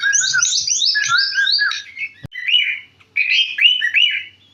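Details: Sooty-headed bulbul, a kept bird from central Jakarta, Indonesia, singing in the energetic gacor style with an open, sharp natural voice: rapid, tumbling strings of bright whistled notes, partly falling, broken by two short pauses.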